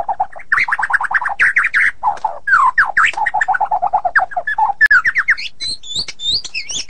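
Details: White-rumped shama delivering a tight ngeroll: long runs of fast, rattling, rolling notes at a fairly low pitch, ending in a series of high, thin, sweeping whistles.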